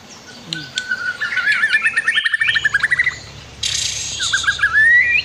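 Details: White-rumped shama song used as a master recording to train other birds, with a river in the background: fast varied whistled phrases, a rapid trill of repeated notes, then loud bright high whistles and a rising note.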